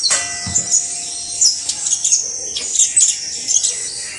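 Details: Saffron finch song: energetic high twittering chirps and sharp clicks in quick succession, with a brief low knock near the start and a steady faint hiss behind.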